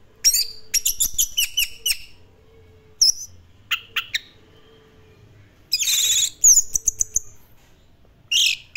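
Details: Orange-headed thrush with classic-style song: clusters of sharp high notes and whistles, a harsh buzzy burst midway, then scattered chips separated by several quiet seconds; a low hum and faint low rumbling in the background.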